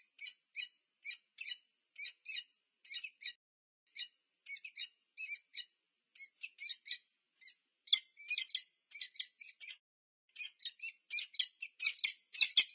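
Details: Two wild peregrine falcons meet at a nest at UC Berkeley, USA, 2 November 2022, with spaced, rasping paired notes that grow denser and louder toward the end into rapid chattering.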